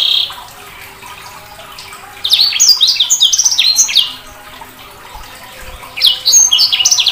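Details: Sanger bird giving a rapid, jumbled run of high chirps and squeaky notes, one burst lasting nearly two seconds, then a shorter burst after a quiet pause.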